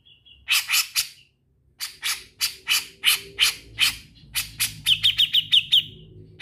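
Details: Grey-cheeked bulbul (cucak jenggot) in full song with trills. A steady series of harsh, broadband chattering notes comes roughly every half second, then ends in a quick run of thin, high, repeated whistled notes.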